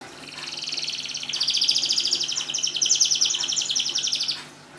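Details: Canary song played to prompt silent canaries to sing: a fast, high trilled stretch that swells and then runs on as rapid rattling notes before stopping, with faint low hum beneath.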